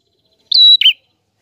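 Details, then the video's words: A single prinia phrase in clear, vigorous song: a quick rising start, a steady high whistle, then a short buzzy note that falls in pitch. "Burung Prenjak Gacor Suara Jernih"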